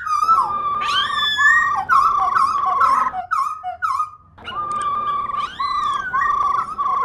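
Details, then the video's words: Caged female laughingthrush whose song is played to excite pet birds into singing; long loud whistled notes holding a steady pitch, broken by upward swoops and a short pause midway before the sustained whistling resumes. "Khướu Mun Mái RO RO VÍP Kích Trống Cực Đỉnh,khướu mun mái rò kích mộc và bổi mở mỏ,khướu mái ro vip"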